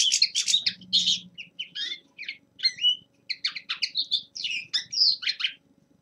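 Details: In winter a young male linnet runs through a warm-up song of clipped chirps, twangy slurred notes and short trills, spaced in quick phrases, with a brief low hum early on.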